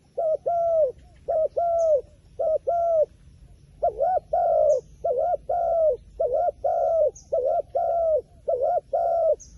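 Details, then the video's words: Steady series of low coos from a wild pigeon: short wobbly notes alternating with longer held ones that dip at the end, nearly continuous for ten seconds, with occasional faint high bird chirps. "ប៉ះហើយលលកព្រៃបណ្ឌិត ធ្នាក់ធ្វើដាច់ខ្យល់"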